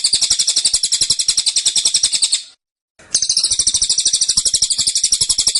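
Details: Cililin delivering dense, persistent burst song: two shrill rapid trills of close-set notes, each a few seconds long, split by a half-second silence.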